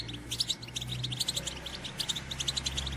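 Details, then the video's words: European goldfinch female batbata twitter meant to excite males to sing and pair: steady stream of thin, high chirps and short trills repeated throughout, with a noticeable low droning hum underneath. "بتبتة أنثى الحسون"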